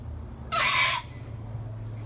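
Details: A wild cockatoo being fed from a balcony gives one harsh, raspy screech lasting about half a second, loud and broad, over a steady low hum.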